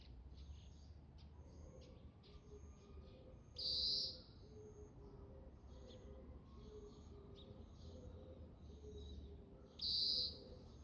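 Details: Oriental greenfinch calling on and off. Two loud, high, sustained nasal notes about six seconds apart, with fainter short chirps from other birds throughout and a low background hum.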